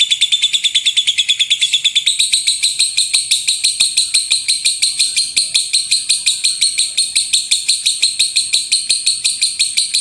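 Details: Rapid-fire gemuruh tembakan song of a lovebird, kept as a master recording for teaching birds: dense buzzy chatter, quicker and thinner at first, then settling into a rough pulsing trill repeated roughly three times per second.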